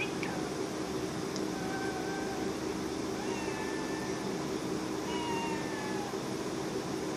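A parrot gives four drawn-out, meow-like calls a second or so apart, some gliding down in pitch, over a steady indoor hum.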